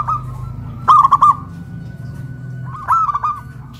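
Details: Raised on a pole in Kuningan, West Java, a caged zebra dove gives two short bursts of loud, rapid coos separated by a quiet pause, with low background rumble.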